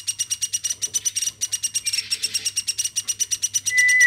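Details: Woodpecker raised by hand from a chick, calling on and on indoors: rapid, buzzy pulses repeated steadily at about seven a second, then a clear, level whistled tone at the close, over a soft low hum.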